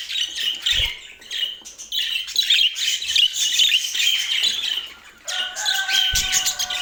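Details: Portland pet budgerigars chirp and warble in quick bursts; near the end a lower, steady tonal whine with harmonics joins the high chatter.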